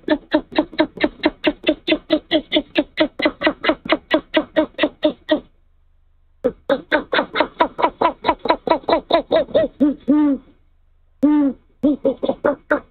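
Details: Male great horned owl at a nest in Canada, 18 February near midnight, arriving with a mouse and calling to his mate: fast regular series of low grunting pulses, about two per second, broken by short pauses.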